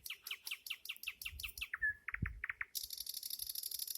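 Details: Nightingale delivering a fast series of downward-slurred notes, a brief whistle and a few loud strokes, followed by a sustained high dry buzzing rattle.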